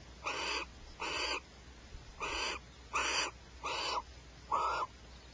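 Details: Barn owl (Tyto alba) pair squabbling over a rat at Starr Ranch: six harsh, hissing screeches, each about a third of a second long, repeated roughly once a second.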